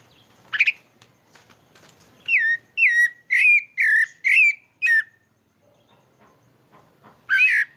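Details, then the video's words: Pale-breasted thrush, known as sabiá-pardo, singing in Maranhão, Brazil: one isolated whistle, then a steady series of six bright wavering whistled notes about half a second apart, a pause, and a final note; faint low background noise. "Canto do Sabiá ao vivo"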